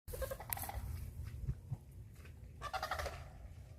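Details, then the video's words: Sandhill cranes call in a swamp, the calls echoing: two bursts of loud, rolling, trumpeting rattles, one at the start and one near the end, over a steady low rumble. Such calls carry up to 2.5 miles. "Sandhill cranes calls echoing in the swamp"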